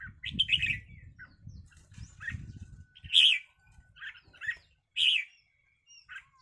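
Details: Red-whiskered bulbuls fighting each other give loud, harsh squawked notes at irregular intervals, with scattered softer chirps and a low rustling at the start.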